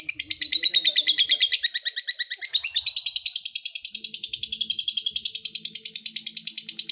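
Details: Lovebird in a long ngekek trill used to call a rival, a fast unbroken string of high chattering notes running the whole stretch, pitch gently wavering, faint low hum beneath.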